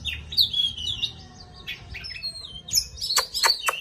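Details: Short burst from an oriental magpie-robin singing and dancing: bright whistled slurs, a thin sustained note, then sharp clicky high notes, with a quiet low hum beneath.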